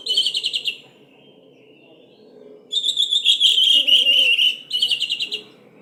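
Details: Orange-headed thrush lure song, said to sound like a lively canary and used to coax silent birds to sing: fast buzzy trills, a longer sustained trilled phrase, then another short trill.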